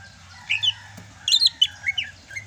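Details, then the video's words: Sumatran greater green leafbird singing freely during the rainy season, a kept songbird: short bright chirped notes in clusters, some rapid and sharp, others slurred whistles, over a faint low hum. "MUSIM HUJAN CUCAK HIJAU SUMATRA MASIH BISA GACOR"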